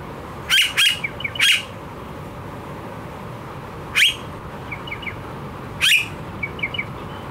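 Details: Blue-faced honeyeater, Australia, giving a quick burst of three harsh squawks, then single loud calls after pauses, with soft twittering chip notes slipped between them.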